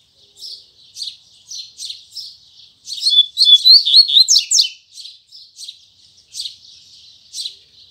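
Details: In the morning a double-collared seedeater sings the firm 'tui tui zel zel' style: soft spaced buzzy notes, a loud fast run of whistled, sliding twitters in the middle, then quieter repeated notes again.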